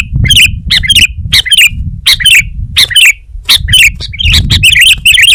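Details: Energetic sooty-headed bulbul delivering repeated doubled chirps with a slurred twist, steadily paced, with a low murmuring background.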